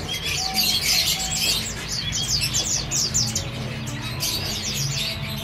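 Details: Male red avadavats, father and son, give busy high-pitched twittering song of quick squeaky notes over a constant low background hum.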